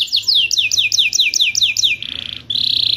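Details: Canary singing as a lure for caged canaries that have gone quiet. A run of quick downward-slurred whistles gives way to a harsh buzzy rattle near the end.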